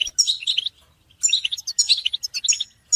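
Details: Caged goldfinch stimulation recording of group twittering and mating calls; two clear bursts of liquid, jangling high notes separated by a half-second silence, a third starting at the very end.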